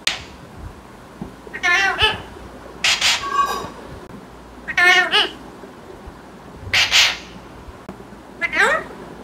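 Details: Five separate harsh, overtone-laden utterances from a tame green parrot, coming about every two seconds, some buzzy and some wavering, in a quiet room.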